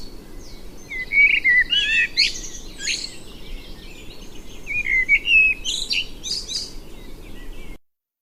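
A male Common Blackbird sings two unhurried phrases, each a mellow fluted warble that breaks into high, squeaky twittering, over a faint low background rumble.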